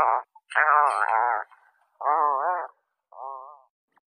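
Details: An Atlantic puffin (Fratercula arctica) gives four low, groaning, wavering moans, each under a second long, with short pauses between them and no other sounds.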